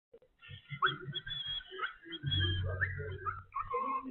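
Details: Pet cockatiel in the Philippines whistles in bright, wavering notes, used as an alarm whistle, over a low background rumble.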